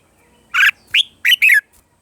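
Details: Red-whiskered bulbul singing in the morning during voice training: one loud, quick phrase of four sharp whistled notes, bright and slurred, the last note sweeping downward, over near silence.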